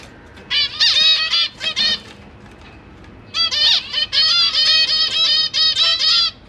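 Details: Caged zebra finch family with three juveniles and three newly hatched chicks, parents busy feeding young, 12 September 2023; bursts of nasal, harmonic-rich honking calls in quick runs, two clusters separated by a short quiet gap.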